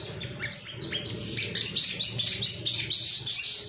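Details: Agitated male ruby-cheeked sunbird seeking rivals, played to prompt caged birds to sing: a few high chips, then a busy stream of shrill, squeaky twitters in quick succession.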